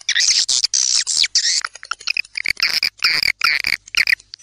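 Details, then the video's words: Edible-nest swiftlets in a composed dusk lure recording: dense high twittering and buzzy chirps in rapid overlapping bursts, with sharp clicks between phrases. "SUARA WALET TARIK SENJA"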